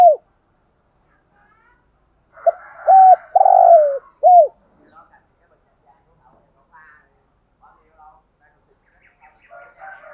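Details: One full cooing phrase from a decoy spotted dove, 'thúc gù' style: a soft lead-in note, a level coo, a drawn-out burry coo, and an arched closing note. Faint chirps and quiet background sounds follow.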